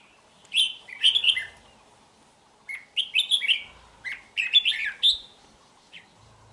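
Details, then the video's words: Song of a red-whiskered bulbul originating from Hòa Bình, Vietnam, 3 March 2023. Two lively phrases of rich, warbled whistles, each a tumbling run of four to six notes, separated by a short pause, with a lone short note at the end. "Chào Mào Mộc Hơn 2 Vụ Bộ Đẹp Gấu Chim Giọng Rất Hay Gốc Hoà Bình"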